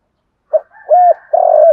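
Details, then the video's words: Spotted dove lure call: after half a second of quiet, a short coo, a smooth held coo and a long vibrating coo, with a faint higher tone beneath. "tieng cu gay kich boi nhanh noi hieu qua hang ngay, boi nghe gay theo ca ngay"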